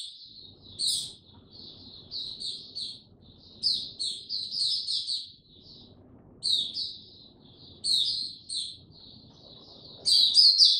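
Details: Oriental white-eye opening its song (02052022) with bursts of high, chattering twitters separated by short pauses, ending in a louder, denser flourish. Soft low background rumble.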